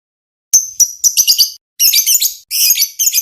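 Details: Lovebird chirping for training other birds, in short high, dense bursts of harsh chattering notes broken by brief pauses.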